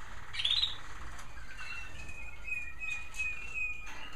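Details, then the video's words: Evening chorus of captive American Singer canaries in bird rooms: a sharp bright burst of notes early on, then softer twittering and thin whistled tones from more than one bird against a low hum. "Some beautiful canary sounds from my bird rooms"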